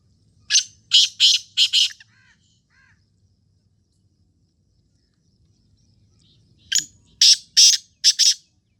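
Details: Black francolin uttering a four-note grating phrase, then after several seconds of quiet with low background hum a second, five-note harsh phrase ending in a quick pair.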